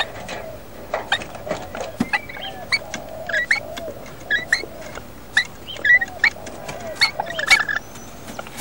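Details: Wild rainbow lorikeets nesting in a house roof as the male comes in to feed the incubating female, who begs. Short harsh squawks and clicks come in uneven bursts, with a few thin whistled notes between them.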